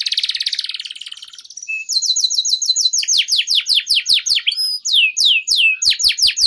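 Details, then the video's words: Canary song used as a lure and tutor recording for young canaries: a fast high buzzing trill, then a long series of quick falling whistled sweeps with faint clicks beneath. "PANCINGAN Suara Burung KENARI Gacor Panjang || Masteran KENARI Paud"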